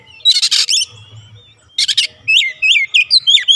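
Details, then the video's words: Oriental magpie-robin song intended to get a reluctant bird singing: two harsh buzzy bursts followed by a string of clear looping whistled notes. "terapi atasi Kacer malas bunyi cepat gacor"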